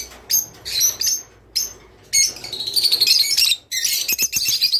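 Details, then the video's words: Rice finch singing, a sound meant to encourage kept birds to breed; sharp high chirps open the clip, then a longer stretch of rapid buzzy twittering with clicking notes near the end. "تغريد روز / صوت روز/حفزطيورك علي التزاوج"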